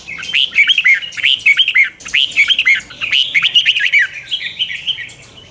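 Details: Morning practice song of a red-whiskered bulbul, a caged training bird: bright, looping whistled phrases repeated about once a second, each a rising then falling warble, tailing into softer chatter near the end.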